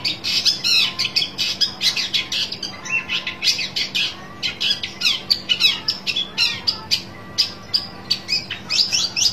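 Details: Long-tailed shrike calling out for a rival with dense rasping chatter, then a steady run of loud harsh notes roughly three per second, over a faint background hum.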